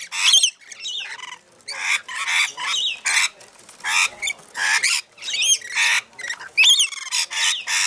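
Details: Rainbow lorikeets feeding, with loud, raspy screeches repeated in steady bursts about every half second, mixed with higher squeaky notes.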